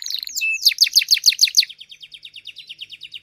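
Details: Master canary songster: a brief flat whistle, then a burst of loud descending chips about five per second that fade into a softer, rapid twittering trill.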